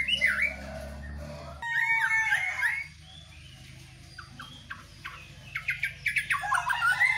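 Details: White-rumped shama singing energetically while being set out in the morning dew, with loud slurred whistles near the start, then a rapid series of short sharp chipping notes that builds into bright warbled phrases toward the end.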